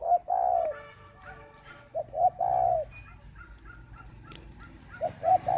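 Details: Spotted dove cooing while incubating, from a bird garden in northern Vietnam: soft, low, mellow coo phrases of two or three notes, with one drawn-out note, repeated with pauses between them.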